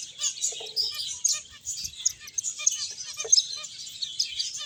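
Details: Finches chirping while they play and eat: a busy flock chorus of thin, high, quick tweets overlapping throughout the short stretch.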